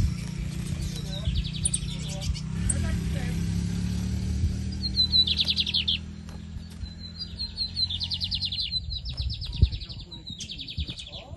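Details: Caged Lined Seedeater, Brazil, 2023 season, giving several short buzzy trilled phrases in the second half, linked by thin whistles, over loud low-pitched rumble and background noise.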